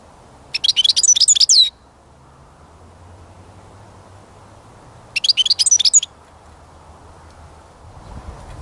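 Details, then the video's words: Two separate bursts of fast, high, jingling twitters from a European goldfinch, about a second each and several seconds apart, heard during songbird catching, with low faint background noise. "Пение Щегла"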